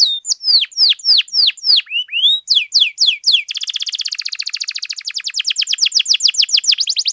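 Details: Canary in full, long-running song used as a master tutor and to prompt other canaries: series of loud descending whistled sweeps, then a rapid trilled rattle of many fast repeated high notes, clear and bright.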